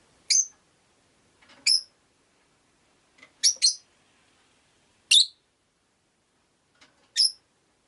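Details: Rosy-faced lovebird, one of five kept in a cage by a window, giving six shrill, piercing chirps at uneven gaps of one to two seconds, one a quick double, in a quiet room.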